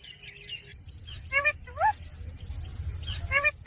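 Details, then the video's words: A pet green parrot gives short harmonic squawks, then a single rising nasal call, with a second squawk burst near the end, over a low rumble. "Green Parrot Talking Natural Sounds।Tote Ki Awaaz। Mitthu Ki Awaaz"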